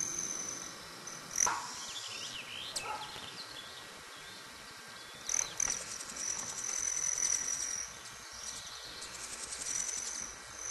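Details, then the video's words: Broad-tailed Hummingbirds drink sugar water and fight. Males' tail feathers make a cricket-like sound, heard as a high, thin, metallic buzzing trill in spurts, broken by a few sharp squeaky chips, over faint outdoor hiss. "Broad-tailed Hummingbirds"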